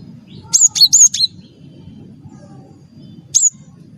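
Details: Singing cinereous tit, the wingko type of gelatik batu, whose call is used to spur other birds into song: four quick high chirps slurring downward, a pause, then a single bright note, with a low rumbling hum beneath.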